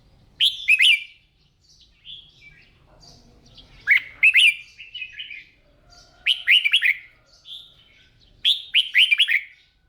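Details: Red-whiskered bulbul being trained by keepers at its morning singing practice. Loud, clear bursts of fast warbled notes, each a run of bright descending slurs, repeat about every two to three seconds with quieter chirps between.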